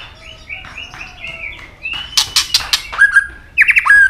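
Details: White-rumped shama in fighting song, with soft rising whistles building to a run of loud sharp clicks, then a dropping slurred note and a fast trilled flourish.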